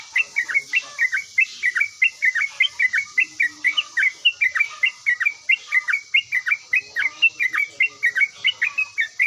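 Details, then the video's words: Yellow-vented bulbul in active song, answering straight away: rapid, evenly paced chirped notes, roughly three each second, bright and slightly dropping in pitch, with a faint high hiss behind. "OCEHAN BURUNG TRUCUKAN GACOR LANGSUNG NYAUT"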